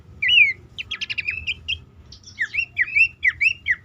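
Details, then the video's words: Horsfield's babbler lure call, used to prompt caged, stressed or silent birds into singing, best at dawn or night: bright whistled up-slurred notes near the start and end, with a quick stuttering run of short clipped notes between. "pelanduk semak ngecall pancingan ampuh burung bahan,macet,stress,susah bunyi agar cepat ngeplong."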